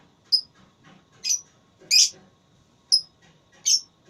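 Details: Lovebird in a voice-battle singing contest: short piercing high chirps spaced irregularly about a second apart, some thin and clipped, others broader and harsher, over a faint low background hum.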